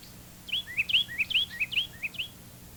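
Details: Carolina wren's loud three-noted song, a ringing 'tea-kettle, tea-kettle' chant of short rolling phrases repeated rapidly about five times; this species may sing at any time of day and in every month of the year.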